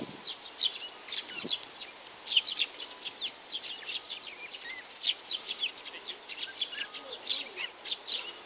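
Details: High, thin chirps and short slurred notes from a young sparrow pour out in an irregular, busy stream over faint background hiss.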